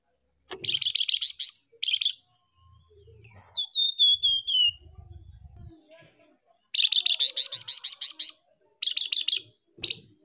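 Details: Flamboyan bird tembakan calls from both a male and a female, used as a lure recording. Fast trains of harsh, buzzy high notes come in several bursts around a short, clear whistled series that slides downward. Soft low rumbling sits between them.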